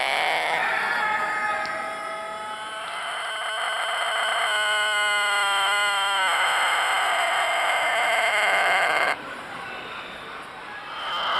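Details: A Tōtenkō rooster, a rare long-tailed, long-crowing chicken breed from Japan, gives a sustained high crow lasting about nine seconds, steady harmonic tone with a quavering middle section, ending abruptly to quieter background noise.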